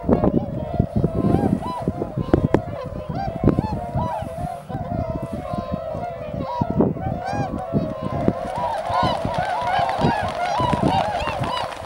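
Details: Tundra swans gathering at Shiozuhama on Lake Biwa, Japan, on 3 March 2012 shortly before their northward migration; a dense chorus of overlapping honking and bugling calls from many birds, with constant low rumbling noise.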